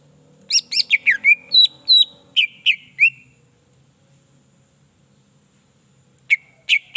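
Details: Greater green leafbird song meant to provoke other leafbirds to sing: a fast series of loud, high, downslurred whistles for three seconds, a pause, then several more sharp notes.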